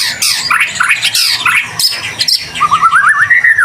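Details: Persistently singing white-rumped shama used to trigger other shamas into song: dense jumble of whistles and harsh chattering notes, ending in a clear rising-and-falling whistled trill.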